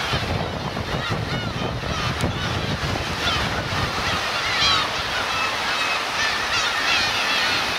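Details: Black-tailed gulls, parents with chicks, at the Kurosaki coast of Teuri Island, Hokkaido, Japan, on 13 June 2021. Many mewing, arched calls overlap throughout, partly buried under steady surf and wind noise.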